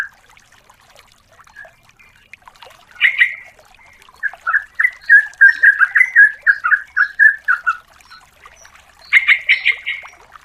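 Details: Yellow-vented bulbul female calling the male as a lure: a harsh burst, then a run of bubbly repeated notes, ending with another louder, rougher chattering burst; quiet gaps between.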